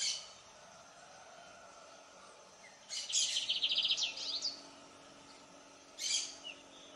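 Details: Lined seedeater singing: after a quiet stretch, one rapid burst of sharp, high, buzzy notes lasts about a second and a half, followed by a brief separate high chip, over a steady background hiss.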